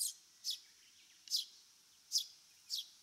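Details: Eurasian Tree Sparrow from Japan calling with five bright, sharp chirps at uneven spacing. Each is a quick high note dropping slightly in pitch, with near silence between them.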